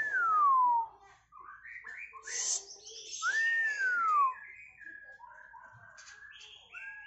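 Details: White-rumped shama from Medan, a contest-hopeful bird at the competition perch, sings loud slurred whistles falling from high to lower pitch, mixed with quick varied chirps and short notes, then a softer warbled stretch.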